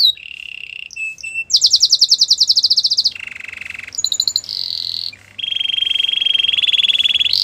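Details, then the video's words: Gloster canary singing a varied song of rapid high trills, a harsh buzzy low rattle and long sustained whistled rolls, switching phrase every second or two. "Gloster canary singing | Canary bird sounds"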